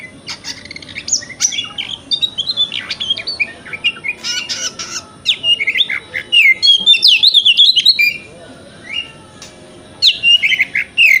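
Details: White-rumped shama male with a varied morning song aimed at getting a kept shama to open its tail: fast whistled trills, harsh squawks and rapid chattering phrases in repeated bursts with short pauses.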